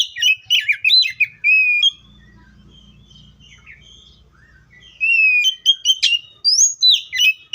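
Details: Oriental magpie-robin pouring out quick whistled and chipping phrases, broken by a roughly three-second pause with a low hum behind it, then resuming energetic varied song.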